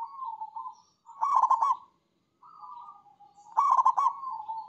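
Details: Zebra dove, known locally as perkutut, in manggung song: gentle wavering coos lead into two strong rolled, stuttering bursts about two seconds apart, with quiet pauses between phrases.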